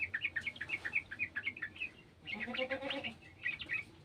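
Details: Sooty-headed bulbul in a garden, calling along with an untrained bird: a brisk regular series of bright chirps, interrupted by a harsh nasal bleat, then more chirping.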